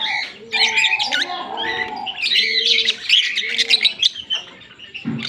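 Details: A green pair of Fischer's lovebirds chatter in a busy stream of shrill, high chirps and squeaky warbles, with a few lower nasal notes mixed in, almost without pause.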